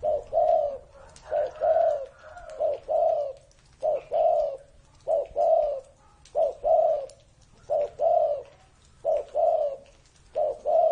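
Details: Cooing of a spotted dove more than 30 years old: steady, regular series of soft, low two- and three-note coo phrases repeated roughly every second, with faint background noise.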